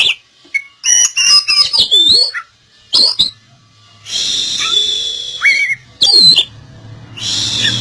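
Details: Oriental magpie-robin song used as a lure to coax a bird that has stopped singing back into song: loud, varied whistled phrases with quick sweeping notes and short pauses, then a denser buzzy stretch over a faint low hum.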